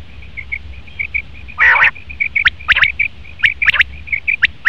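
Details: Male common quail: a fast string of short high dotted notes, one loud buzzy burst, then sharp clipped calls in quick pairs and triplets.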